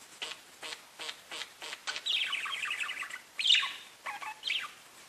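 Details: Parakeets chatting to each other: a run of about six evenly spaced short clicking chirps, then a dense stretch of warbled twittering and a few louder sharp chirps, with no other sounds.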